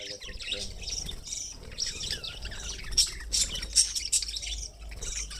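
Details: Budgerigar (Melopsittacus undulatus), chatter.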